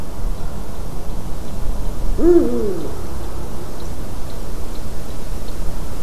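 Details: Eurasian eagle-owl at a white-tailed eagle's nest, 12 March 2019 at 18:26, utters one short, rough, arching call about two seconds in, followed by faint distant chirps and steady low hum.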